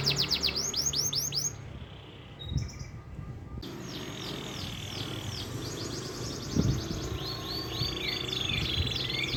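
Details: Canary (kenari) song in a long-duration master recording, original voice without fill-ins: rapid high rolling trills and repeated upswept notes, with a short quiet gap mid-phrase, over low background rumble.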